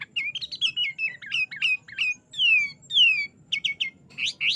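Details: Varied 'isian' song of a sooty-headed bulbul, played to train caged birds and draw replies: tumbling whistles, two long slurred descending notes, then short repeated upswept chirps over a soft low rumble.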